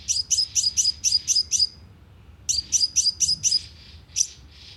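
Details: Energetic sunbird lure call broadcast by speaker to attract birds into a trap: two fast series of shrill, high chips about two seconds apart, then a single chip.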